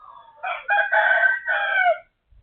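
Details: Chicken next door crowing shortly after noon, 12:12, on 23 January 2025. A strong, rich crow in four parts: two brief opening notes, a long sustained middle and a falling final section, roughly one and a half seconds, with a faint low thump after.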